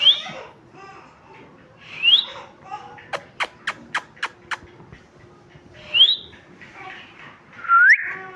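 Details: Pet talking parrot chirping with short rising whistles, a burst of six sharp clicks in the middle, and a final hooked whistle.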